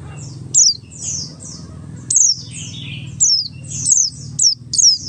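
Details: Buxtoni Oriental white-eye song used as a lure to make other white-eyes start singing: thin, very high notes that slide downward, given singly or in quick pairs at irregular intervals over a low steady hum.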